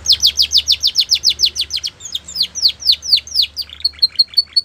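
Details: Belgian canary singing a rapid series of bright downward-sweeping notes, slowing slightly midway into longer slurred notes, then closing with short, evenly spaced high chips.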